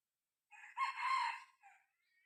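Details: Young decoy cockerel, six months old, crowing to lure wild red junglefowl. A low short lead-in swells into a strong sustained crow lasting under a second, then a softer clipped final note. Nothing else is heard.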